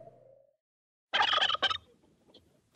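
A turkey gives one rapid, rattling gobble that lasts under a second. A short spoken word comes just before it.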